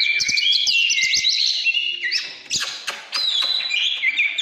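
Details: Oriental magpie-robin, 'căn lửa' style: dense twittering whistles with sharp clicks early on, a short lull, then long clear descending and level whistled notes.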